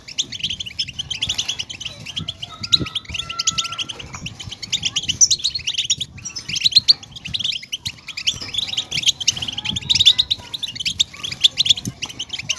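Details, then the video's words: European goldfinch song meant to excite caged birds into singing, described as a female goldfinch recording: busy, liquid twitters and buzzy trills running almost nonstop, with a faint steady tone and low background rumble. "افضل البتبتات لاخراج طائر الحسون من صمته"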